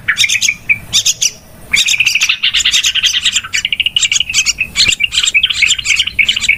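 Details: Yellow-vented bulbul calling noisily, a sound used to lure birds when trapping: a few sharp chirps, a short gap, then a long, busy stream of overlapping buzzy notes.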